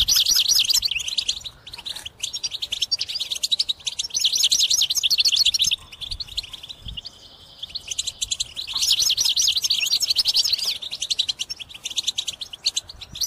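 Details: Goldfinch in vigorous song, used as a lure for trapping: rapid runs of bright twittering notes and buzzy trills in two long outbursts, separated by a quieter stretch with a thin sustained tone.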